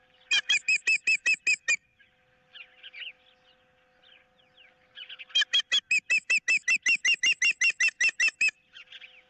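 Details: Osprey pair at a nest cam, 15 April 2023; one holds a fish on a picnic pole while its mate wants it, with an intruder nearby. Loud, sharp whistled chirps come in rapid even runs, a pause with faint small birds, then another long run.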